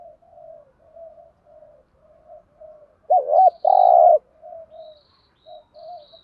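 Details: Spotted dove lure call used to attract wild doves. Soft, low cooing notes repeat throughout, with one loud two-part coo of a wavering note and a long buzzy hum. Faint high chirps of another bird are heard.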